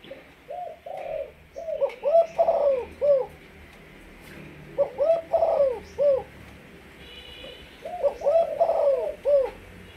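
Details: Malaysian spotted dove kept as a decoy bird, repeating its coo phrase three times about every three seconds. Each phrase has several soft notes rising into a louder, wavering, downslurred coo group.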